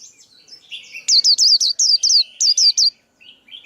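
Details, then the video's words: Male white-eye song used to train young birds and lure birds into traps. Soft, wavering twitters lead into a quick run of about nine bright, high, hooked notes, followed by faint chatter. "Tiếng chim khuyên kích bổi, kích trống, luyện giọng bổi, bẫy khuyên"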